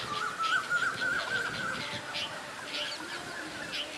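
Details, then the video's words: Red-vented bulbuls, common local birds, giving loud calls while moving their wings: rapid harsh bursts repeated several times a second, with a thin level whistled tone early on, over steady background hiss. "Red vented bulbuls' call"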